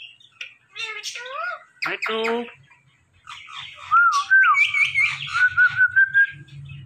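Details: Talking ringneck parrot utters a few nasal speech-like syllables, then a run of clear whistled notes and rapid chirpy phrases repeated quickly, with a low hum underneath.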